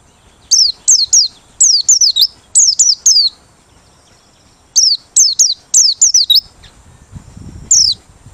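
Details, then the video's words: Merapi white-eye in open-beak lure singing, pouring out quick runs of high, steeply falling whistled notes, several in a row, then a pause and another run, with a last single note after low rumble. "Pleci Merapi Ngalas Losssdol,cocok buat pikat~pancingan || Buka Paruh"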